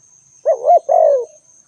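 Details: Spotted dove calling: a short rising-and-falling coo followed straight away by a longer, slowly falling coo, the whole phrase under a second, with a faint steady high whine in the background.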